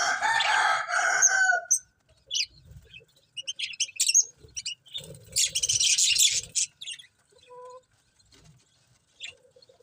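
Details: Budgerigars chirping: a dense burst of warbled chatter opens, followed by scattered short high chirps and squeaky notes, then another thick chattering burst midway, with faint low thumps underneath.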